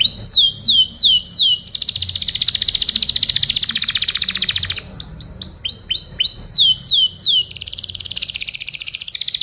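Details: Tutoring recording of a singing canary for other birds. Falling whistled notes alternate with long buzzy trills: slurs, a sustained rapid trill, a burst of clipped notes and slurs, then a second trill.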